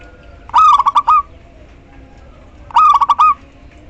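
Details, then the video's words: ['Female local zebra dove calling the male, used to coax silent males into song; two identical phrases of quick rolling coo notes with a longer closing note, about two seconds apart, over steady low background noise.'] "perkutut lokal betina memanggil JANTAN"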